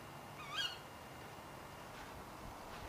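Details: A single short, shrill, rasping call from a female Tawny Owl late at night, followed by near silence with soft background noise.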